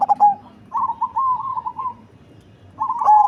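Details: Large perkutut cemani zebra dove with a deep, heavy voice: the end of a loud coo, a long soft wavering trill of coos, then another loud phrase beginning.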